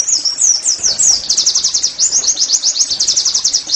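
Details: Oriental white-eye song used as a training recording to make caged birds sing: rapid high chattering trills of sweeping whistled notes, about four per second, continuous throughout.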